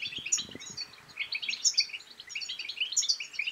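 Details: Rapid, tinkling European goldfinch song used to prompt other goldfinches into singing and mating: high, sweet chirps and buzzy twitters tumbling together in quick phrases, a few low knocks at the start.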